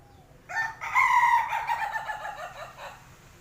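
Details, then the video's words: Chicken giving a strange, laughable call: a strained, nasal crow-like cry that starts abruptly, holds a wavering tone for about two seconds, then breaks into stuttering pulses before ending. "ayam bersuara aneh, ngajakin ketawa"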